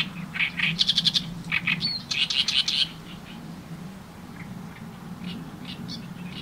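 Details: Oriental reed warbler singing, filmed with a camera and external microphone on a tripod: harsh, grating chattering phrases of rapid repeated notes in bursts during the first three seconds, then fainter scattered notes, over a steady low hum.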